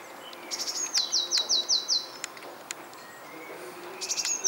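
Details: Unknown bird singing in a garden, giving a quick, bright trill of six repeated high, slurred notes, followed by scattered clicks and a softer high phrase near the end.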